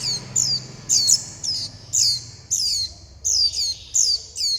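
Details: Young Warbling white-eye calls for food and for its mother and flock: nine or so shrill, high, down-slurred squeaks, some in quick doublets, separated by short pauses, with faint low background noise.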